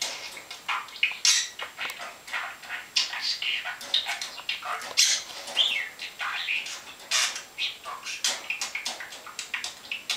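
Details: A talking pet budgerigar in Denmark chatters in rapid, squeaky, buzzy bursts, with mimicked speech-like phrases and warbling whistles running on without pause.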